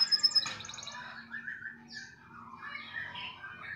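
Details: Canary song fragment opening with a thin pure whistle and rapid bubbling notes, followed by softer slurred warbles over a steady low hum.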